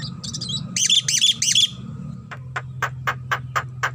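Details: Head-bobbing Javan myna singing its characteristic chatter: short squeaky notes lead into three rasping, harmonic-rich phrases, followed by seven evenly spaced, sharp tick-like notes, with a constant low hum underneath.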